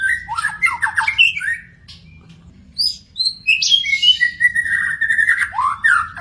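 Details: Wild magpie-robin with a quick warbled phrase, a near-silent gap, then sweet drawn-out whistles and a long, slightly falling note as the song picks up again.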